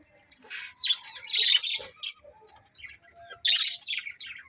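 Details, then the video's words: Happy colony of budgerigars chirping, with bursts of high, scratchy chatter and squawks in uneven clusters separated by short pauses. "Cute Budgies Chirping Sounds"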